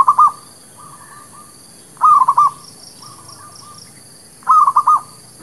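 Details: Zebra dove song for luring birds into traps: loud trilled cooing phrases roughly every two and a half seconds, with fainter, softer phrases of the same pattern between them.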